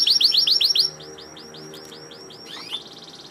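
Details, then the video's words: Canary in full song: a burst of loud, rapid high swooping notes repeated quickly, fading into softer repeated swoops, then a short fast trill near the end. "Kenari gacor"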